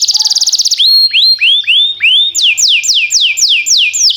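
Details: Timbrado canary song for training canaries: a quick trill, then a series of rising whistled notes, followed by falling whistled notes repeated about three per second.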